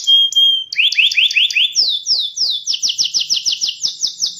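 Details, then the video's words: Canary with an unusually rhythmic song: a pure whistled note, then series of quick downward-sweeping notes repeated at a steady beat, each phrase faster and higher than the last. "O som do Canário com uma voz rítmica diferente das outras"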